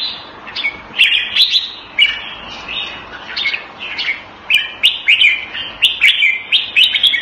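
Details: Red-whiskered bulbul, caged and kept Thai style in Singapore, recorded February 2018, pouring out a fast run of bright, bouncy warbled notes roughly every third of a second, growing denser toward the end, with sharp ticks.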